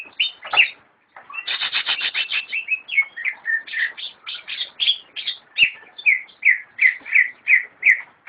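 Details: A captive greater green leafbird sings a lively, varied song: a fast chattering run of bright notes, then clear slurred whistles repeated about twice a second.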